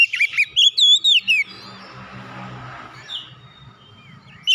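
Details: Song of an oriental magpie-robin (kacer) for prompting a silent bird to sing again: a clear opening run of quick, looping whistles, followed by near-silence with soft background hiss.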